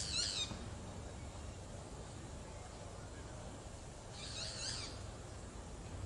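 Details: Two harsh, buzzy, high calls from a boat-billed flycatcher, one at the very start and one about four seconds later, separated by quiet low-pitched background hiss.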